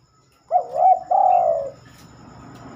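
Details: Spotted dove (terkukur) singing at night, said to rarely sing after dark: a short phrase of soft, hollow coos around 600–800, a double warbled note followed by a longer descending coo, faint background hum.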